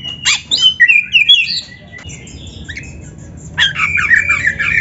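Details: Magpie-robin song from a recording meant to train a caged kacer: a lively run of whistled slides and chirps, a near-silent pause, then a fresh burst of bright warbling notes.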